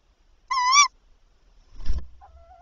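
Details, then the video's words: Tawny owl at a night-time prey delivery by the male, 7–8 April 2023. A single brief, wavering, harmonic call, then a dull thump and a faint thin tone. "Bosuil prooioverdrachten"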